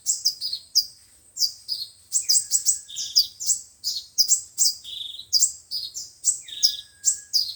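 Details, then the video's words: Lively, continuous high chirping and slurred twitters of five- and seven-colored sunbirds, made as a speaker lure for trapping, with two faint drawn-out lower whistles. "Tiếng chim hút mật 5 màu và 7 màu dùng để bẩy loa"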